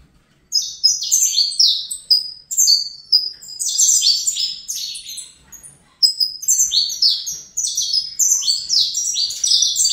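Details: Saffron finch youngster, bred in captivity, delivering two long Fibra-style strophes: fast cascades of sharp, downward-gliding high notes, with a short gap around six seconds.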